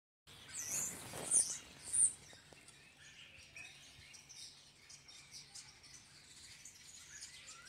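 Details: A flock of starlings gathered in a tree: a burst of high, squeaky whistles and chatter over the first two seconds, then fading into faint, scattered chirps and soft background hiss.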